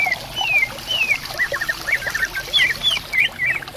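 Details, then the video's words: Greater green leafbird song among bamboo by a clear stream: long smooth descending whistles followed by quick chattering slurred notes, set against steady flowing water. "Suara Burung Cucak Ijo Gacor Di Hutan Bambu Bersautan"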